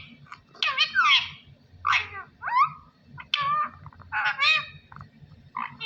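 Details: A talking parrot, said to be saying "Allah Hoo", gives raspy, squawky, speech-like bursts about once a second. Some syllables are rough and broadband, others slide downward, all over a low humming background.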